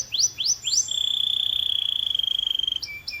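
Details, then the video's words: Canary song: three quick falling whistles lead into a long, even, rapidly pulsing trill on one high pitch, closing with short clipped notes. "HYPER-ACTIVE CANARY! 🎶 The Magic Sound to Make Them Sing Like Crazy"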